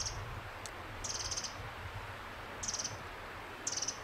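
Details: Pacific wren, Fox Hollow Ridgeline Trail, Oregon, giving four short high rattling chip bursts spaced about a second apart against soft background hiss.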